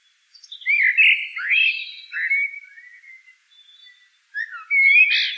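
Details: Eurasian blackbird singing: mellow, fluted warbling phrases gliding around the middle pitch, a long descending slur, a pause, then a brighter whistled phrase with a high squeaky twitter at the end.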